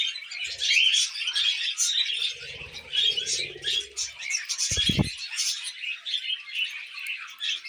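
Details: Tame pet budgerigars, with cockatiels also kept, chattering while eating millet: a dense, continuous warble of buzzy chirps and short whistled notes, with soft low rustling and a brief knock near the five-second mark.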